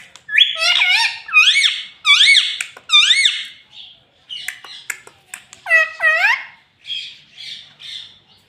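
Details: Talking rose-ringed parakeet saying "mummy mummy" and "papa": rapid repeated arched, harmonic syllables in pairs, about one per half second, then softer high chirps trailing off.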